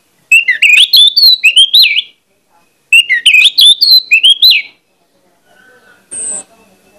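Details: Loud, persistent orange-headed thrush lure song intended to rouse other thrushes of its kind into song: two dense phrases of varied warbling whistles and twisting notes, then quiet and one brief thin high tone.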